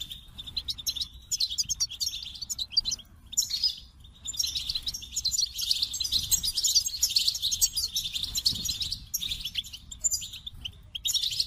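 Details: Extended goldfinch singing: scattered high chirps at first, then a long, rich run of rapid twittering and jingling trills with rhythmic pulses.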